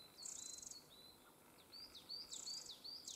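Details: Family of Eurasian wrens, young birds not long out of the nest: thin, high whistled notes and quick down-slurred chips mixed with short buzzy hissing bursts, delivered in a rapid, uneven series.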